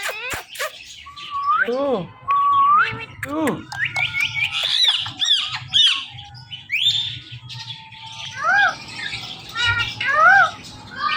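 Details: Indian ringneck parakeets kept as pets, said to be talking and repeating "Mittu". They give rasping squawks, steep falling harmonic notes and looping whistled phrases, alternating with quieter gaps, over faint background hum.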